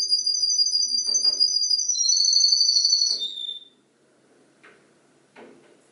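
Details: Canary singing in imitation of other birds' songs: long, pure whistled trills stepping down from high to lower pitch over about three seconds, followed by quiet gaps with soft clicks and knocks.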